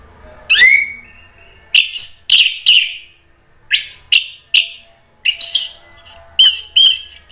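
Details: Orange-headed thrush in Indonesia singing to provoke other thrushes into answering: a whistled opening slur, then repeated harsh, high downslurred notes roughly every half second, building to a dense jumble of sharp chirps and whistles.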